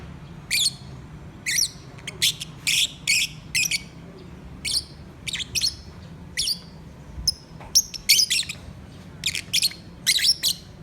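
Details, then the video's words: Pet lovebirds singing: short, sharp, high chirps and tweets in quick clusters, some doubled or tripled, spaced irregularly across the recording, over a steady low background hum. "My Singing Love Birds"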